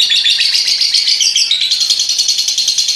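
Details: Short stretch of a lovebird's long ngekek chatter: unbroken, rasping, very high chirps packed closely together.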